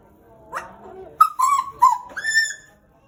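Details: A caged pied butcherbird from Papua, Indonesia, kept about two years, gives a soft low opening, then three clear, sustained harmonic whistles, the last held steadily higher before stopping.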